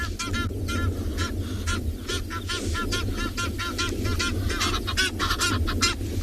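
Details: At least four Egyptian geese fly in to a small waterhole near resting lions on a South African game reserve's morning safari, 16 December 2020, honking in a fast, overlapping run of harsh, nasal calls over a low wind or engine rumble.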